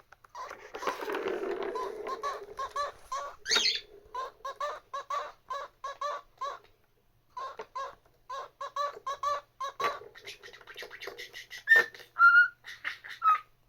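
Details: A pet cockatiel tries to whistle the Doraemon theme in short repeated notes while a budgerigar chatters over it, interrupting.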